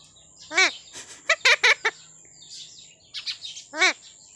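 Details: Talking parrot producing a strident descending harmonic note, then a rapid run of short clipped syllables, quieter chattering, and a final similar downward-sweeping harsh note.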